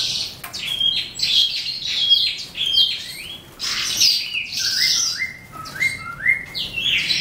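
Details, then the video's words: Eastern calandra lark starting its evening song with scratchy bursts and sharp chirps, then a run of short rising whistles repeated about every half second toward the end. "Eastern Calandra Lark - Melanocorypha Calandra Psammocrhoa"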